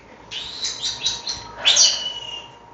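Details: Pet rescue European starlings, three kept in a bird room, chattering: a run of high scratchy chirps and squeaks followed by a louder buzzy squeal, with a faint steady hum behind.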